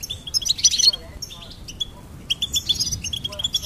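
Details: Goldfinch singing: rapid bursts of twittering, tinkling high notes and short buzzy trills in two phrases separated by a quieter pause, with faint low background rumble.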